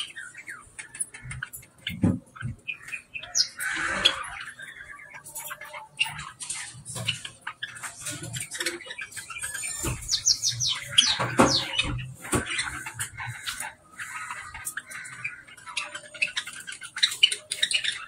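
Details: A male budgerigar chatters and warbles in a fast, rambling stream of chirps, squeaks and buzzy notes.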